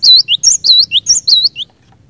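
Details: Energetic song of a cinereous tit, meant to prompt other cinereous tits to sing: loud, rapid phrases of bright high whistles, each paired with a lower downslurred note, about ten notes in under two seconds.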